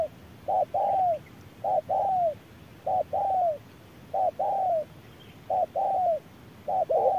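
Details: Spotted dove cooing in a midday duel between a decoy and a wild bird under strong sun. A brief hoot is followed by a drawn-out, downward-curving coo, repeated about once a second over a hissy background.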